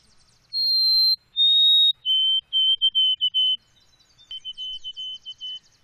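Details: Clear whistled song of a white-throated sparrow: two long held notes, the second slightly lower, then a still lower steady whistle split into short repeated pieces; a fainter stuttering phrase at the same pitch trails after.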